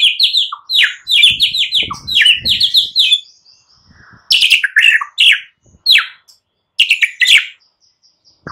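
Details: White-rumped shama morning lure song meant to stimulate silent birds: fast varied phrases of sweet, downslurred whistles and chattering notes in quick bursts, with short pauses between phrase groups.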